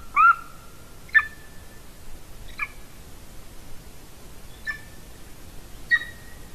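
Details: Golden eagle at a Latvian nest, nest camera, 30 January 2019 in the afternoon: five sharp, thin yelps spaced one to two seconds apart, some with a short held whistle, against faint background hiss.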